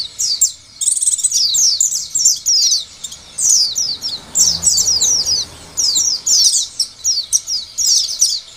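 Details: Oriental white-eye song for provoking other white-eyes to sing: repeated high bursts of rapid slurred chirps over about eight seconds, with light background hiss and a soft low rumble in the middle.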